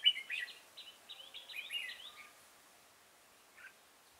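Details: Red-whiskered bulbul heard during trapping with a decoy at Chùa Hương, 5 March 2018: one rapid, cheerful warbled phrase of about a dozen whistled notes lasting two seconds, then near silence with a single soft note.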